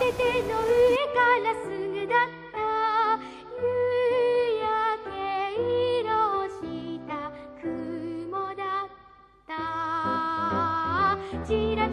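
Instrumental music with soft female singing in a gentle lullaby style plays throughout, with no animal sounds.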